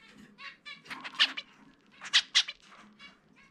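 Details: Zebra finch kept as a pet, let out for free flight, singing loud nasal trumpet-like notes, two strong bright peaks among softer buzzy syllables in its distinctive song.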